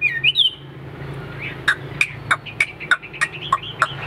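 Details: Caged Hwamei in a competition fan-out fighting display: a few bright rising whistled notes open, then sharp clipped notes repeat about every third of a second, with a low steady hum underneath.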